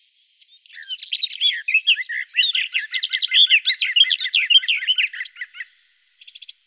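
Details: Sustained garden warbler song lasting about five seconds: a rich stream of quick, mellow, repeated slurred notes in steady rhythm, followed after a pause by a brief run of sharp clicks.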